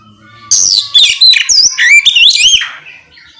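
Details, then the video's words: Oriental magpie-robin song used to provoke other magpie-robins into singing: loud, varied whistled phrases with rapid rising and falling notes and sharp chirps packed into about two seconds, over a low background hum. "Suara kicau kacer ngeplong memancing kacer apasaja ikut bunyi nyaut ngeplong gacor!"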